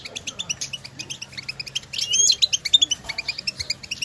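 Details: Wild European goldfinches calling to each other outdoors; stimulating call sequence used to get a goldfinch singing. Quick repeated high chirps in tight bursts, a short bright twittering trill near the middle, several birds overlapping.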